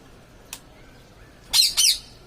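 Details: Parrot calling: a faint click, then two harsh, noisy squawks in quick succession, each about a quarter second long, over a quiet background.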